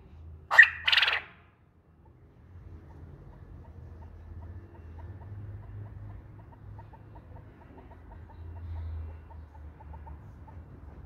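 A quail gives two quick, harsh, bright notes at the start, then falls quiet over a low hum with faint ticking.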